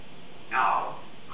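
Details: Congo African grey parrot, a 3.5-year-old female, practicing a word in the morning: a single short, drawn-out speech-like syllable over quiet indoor hiss.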